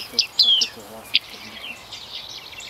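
A few short, high, metallic 'ping' notes from a bearded reedling, one sliding slightly downward, then a last ping and faint chirps in the background.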